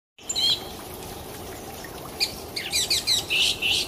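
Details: An orange-headed thrush in full song sings quick, varied high phrases of sweet whistles and scratchy notes in rapid bursts over a steady hiss like running water.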